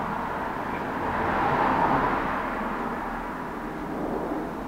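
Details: Broad, steady roar of passing traffic or aircraft that swells slightly and then fades, with no animal calls.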